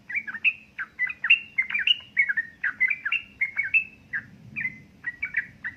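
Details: Yellow-vented bulbul, a female calling the male, in ropel ngeriwik chatter meant to spur idle birds into song: continuous rapid bubbling whistles, short slurred notes tumbling several per second, with a soft low hum behind.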